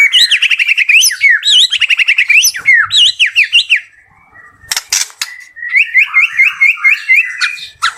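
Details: Bird-farm white-rumped shama singing actively: quick bursts of looping whistled notes and chattering runs, a short quiet pause with a faint rasp and a sharp noise burst, then a fresh run of rapid repeated whistles.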